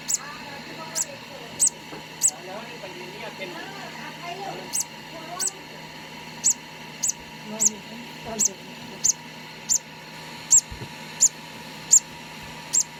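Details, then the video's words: Hand-fed conure chick, two days old, making thin high-pitched peeps in a steady series, roughly one every second, over quiet handling sounds and a faint background hum. "2 day old hand feeding conour parrot"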